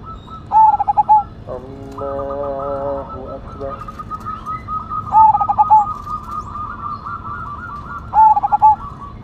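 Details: Loud-voiced Cemani Majapahit zebra dove repeating a pulsed, hollow cooing phrase three times, about four seconds apart; a steady harmonic tone sounds briefly between them and quieter doves coo throughout.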